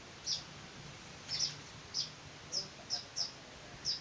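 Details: Hand-fed weaver chicks calling with brief, piercing high chirps spaced irregularly, some doubled, over faint low background noise.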